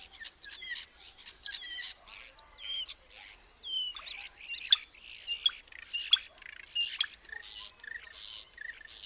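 Common starling chatter: a dense, nonstop jumble of high whistles, sliding squeals, clicks and rattles, with rising and falling notes tumbling over one another.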